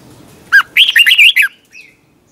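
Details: Competition song of a red-whiskered bulbul, meant for training: one sharp opening note followed by a quick burst of five or six bright, looping warbled notes, then a faint trailing note.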